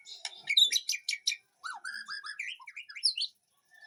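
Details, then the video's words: White-rumped shama singing in a backyard aviary: a burst of sharp high chips, then a softer run of lower warbled and slurred notes. "Aviary murai batu di kebun belakang rumahku"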